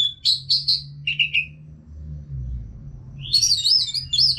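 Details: Orange-headed thrush from North Bali singing continuously to help caged birds start singing. Clear whistled phrases, a pause, then a rich tumbling run of high warbled notes, over a low hum.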